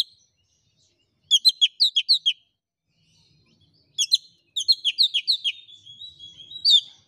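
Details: Oriental magpie-robin song used to goad a quiet bird into replying to a rival: two bursts of rapid, bright, repeated chirping notes separated by a silent pause, ending in a longer warbled phrase.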